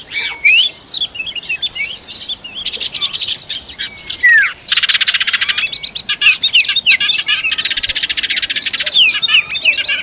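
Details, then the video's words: Oriental magpie-robin at feeding time with its young, heard as sharp high chirps and slurred whistles, then long stretches of rapid buzzy pulsed chatter between roughly three and ten seconds. "Peeking at the Kacer Bird Again Feeding its children"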